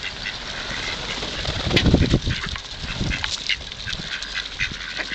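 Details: Hungry ducks being fed at the Kirchsee in Preetz, calling in a loose, uneven series of short nasal notes, with handling thumps and low rumbling noise partway through.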